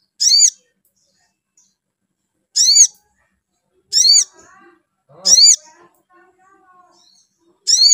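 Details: Spiderhunter call used to provoke the bird into singing: loud, high, harmonic downslurred squeaks, repeated every one to two seconds. Faint softer twittering sounds lie between them.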